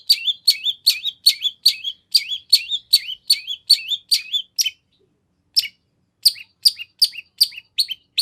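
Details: Lively long-tailed shrike song, full of 'nagen' fillings, played as a lure to provoke a shrike's reply: high downslurred two-part notes repeated about every 0.4 seconds, a brief pause, then the series resumes.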